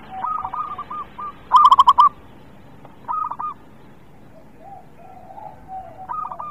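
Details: A local zebra dove, kept as a songbird, sings to lure reluctant birds into singing: short rolling coo phrases come in bursts, one loud, rapid series near the middle, with quieter, softer coos between.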